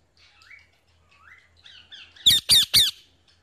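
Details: Pet parrot kept indoors: soft rising whistled notes and chatter, then three loud harsh squawks in quick succession near the end.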